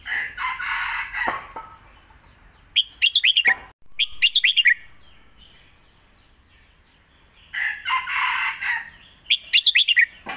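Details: Red-whiskered bulbul kept for competition, singing master song for teaching young birds alternating with lak wai: repeated quick bursts of bright slurred notes, with loud rustling noise in between.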